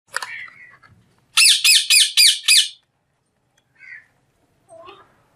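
A parrot gives a short warbling, voice-like utterance, then five loud, harsh squawks in rapid succession, trailing off into a few soft chirps.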